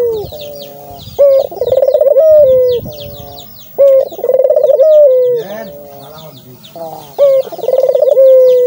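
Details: Rolling coos of a Barbary dove, played to get doves calling. Each phrase opens with a brief note, breaks into a quick pulsed trill and ends in a drawn-out, slightly falling tone. Three phrases come through, with small birds twittering in the background.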